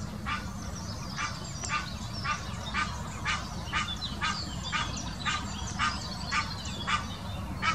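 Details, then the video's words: Long series of hoarse, rhythmic honks from an Egyptian goose giving its mating call, Wittlicher Senke, 2018, repeated nearly twice per second without pause, with high chirping birds and a low steady rumble behind. "Der Paarungsruf des Nilgans"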